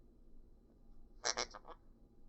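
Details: A pet monk (Quaker) parakeet utters a quick run of four harsh, raspy syllables in imitation of speech, as the owner repeats "baby bed boy" and "I love you."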